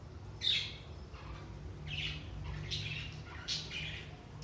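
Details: Budgerigars, aimed at stimulating inactive budgies: scattered high, scratchy chirps in several short bursts, fairly soft against a steady low hum.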